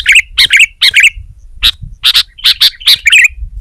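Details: Sooty-headed bulbul singing aggressively at a rival, stirring other bulbuls to sing: quick, bubbly two-part phrases, then evenly spaced clear chirps and doubled notes, about two each second.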